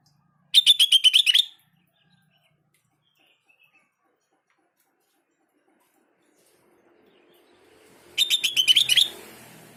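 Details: Sooty-headed bulbul played so other bulbuls will respond: two separate bursts of quick, shrill, evenly spaced chirps, each about a second long and ending in an upward flick, with near silence between them.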